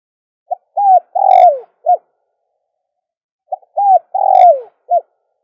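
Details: Dove calling recording used to attract doves. Two phrases about three seconds apart, each with a clipped note, an arched coo, a long sliding coo and a brief last note, mellow and low, with no background noise.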